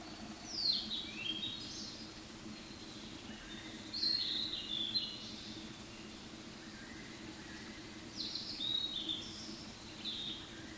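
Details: Fairy pitta giving soft ground calls like "myaa" or "maa" while two birds call back and forth; three descending, slightly buzzy slurred phrases spaced about four seconds apart, with faint lower notes between and a quiet background.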